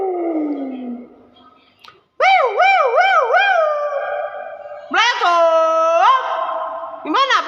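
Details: Nias hill myna producing strong harmonic whistles and wavering warbled notes, loud and clear, with a brief low sliding sound at the start; sounds resemble imitated speech-like tones.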